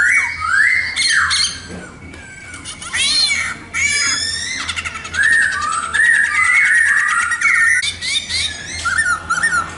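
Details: Laughingthrush called khướu mun delivers elaborate song: rising whistles, rapid buzzy rattles and strings of short chirped notes, loud and nearly continuous after a brief quieter opening.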